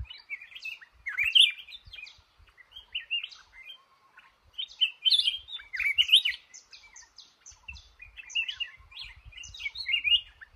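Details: Red-whiskered bulbul, male, trapped in a cashew garden, pouring out dense, varied chirping and whistled notes in fast bursts, with high sharp elements and faint clicks in the background.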